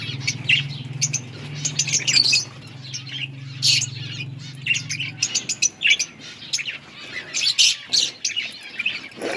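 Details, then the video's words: Many budgerigars calling together in an outdoor colony, a busy mix of sharp high chirps, short whistles and scratchy warbles; a low hum fades out after five seconds. "Budgies birds chirping sounds in outdoor colony"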